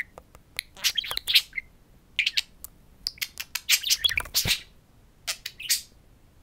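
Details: Indoor pet budgerigars, a pair of talking parakeets at a mirror, give rapid scratchy warbling chatter mixed with clicks and high chirps, pausing briefly now and then.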